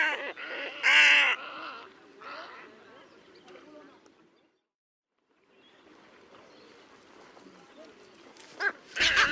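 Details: Squacco heron at Lake Panic bird hide, Kruger Park, giving a few harsh, nasal croaks early on, then softer background rustle, a brief silence, and a loud sharp burst at the end.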